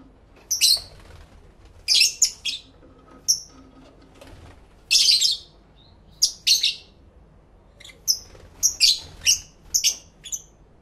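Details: Several pet lovebirds calling to each other, recorded indoors in stereo with two external microphones on a camera: sharp, shrill high chirps in quick clusters and pairs, scattered through the clip with short quiet gaps between bursts.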